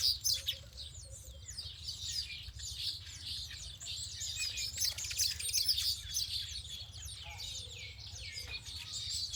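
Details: Birds heard outdoors in nature: overlapping high chirps and quick tweeting notes from several birds, a little quieter and more scattered, over a soft low rumble.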